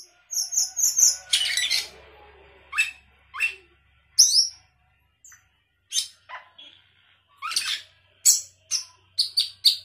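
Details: Sooty-headed bulbul in full chatty gacor song with isian fill-in phrases: sharp high chirps, rapid trilled notes and separate downslurred whistles, spaced by short pauses.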